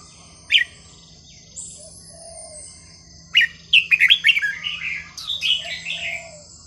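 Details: Red-whiskered bulbul, melodious non-repeating song used to teach young birds: one sharp note, then a fast run of bright bubbling, chattering whistles, over a low steady hum and a faint high tone.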